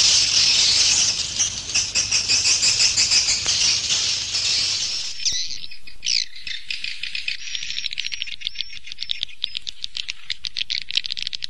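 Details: Swiftlet roosting sound for luring birds to a three-storey roost house: dense shrill buzzy twittering for five seconds, then a quick series of sharp clicking chirps.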